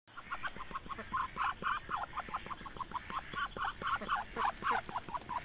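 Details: Muscovy ducks eating grass in a garden, let out by day and penned in the afternoon; short nasal quacking notes repeat rapidly, about four per second, overlapping and uneven, over a faint steady hum.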